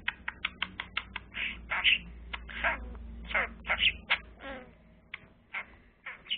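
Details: Pet budgerigar busy with a blue pen, uttering rapid clicks and short buzzy warbled notes in an uneven, continuous chatter.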